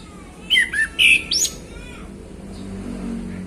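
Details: Afternoon song of a male orange-headed thrush: a quick run of clear whistled notes, some sliding downward, ending in a higher buzzy flourish, then low rumbling background noise.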